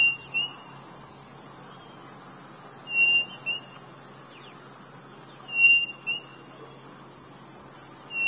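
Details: Codorniz, a quail of Brazil's Nordeste, giving paired whistled notes, a long level whistle then a brief second note, repeated at intervals of about two and a half seconds against constant high-pitched insect buzzing.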